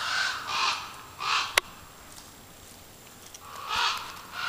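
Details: Ravens heard during a night of frog hunting, judged ravens because the voices are too deep for crows, though one listener calls it a crow: harsh, hoarse caws, three in the first second and a half, then a longer burst, with one sharp click between.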